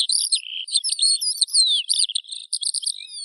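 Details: Eurasian skylark in unbroken rapid warbling, high twittering phrases with liquid slurred notes running together without pause.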